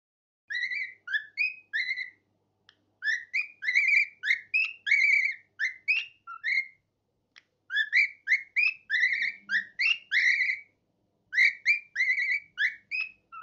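A cockatiel whistles bright, sliding notes in quick phrases, with brief pauses between bursts.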